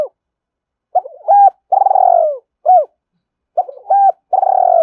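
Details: Spotted dove cooing to stimulate other doves: two phrases, each a quick stutter of short notes, then a clipped mid-pitched coo and a long, loud, slightly falling coo, separated by clean silence.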